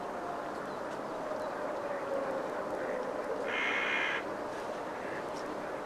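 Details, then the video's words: Two yellow-legged gulls quarrel over a fish; after soft murmuring, a loud, strident, nasal cry of under a second rings out midway, followed by a faint short call, all over continuous rushing noise. "Zwei Mittelmeermöven streiten sich um einen Fisch / Two Seagull fighting for a fish"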